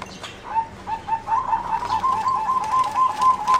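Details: Competition singing zebra dove, selectively bred for 60 years from a wild mutation, its melodious song distinct from wild zebra doves; rapid staccato cooing notes run in a quick, slightly wavering series of about a dozen soft pulses.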